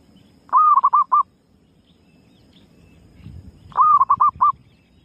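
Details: Female zebra dove calling, a lure recording: two phrases about three seconds apart, each a sliding mid-pitched coo followed by three or four quick clipped notes, over a faint low background rumble.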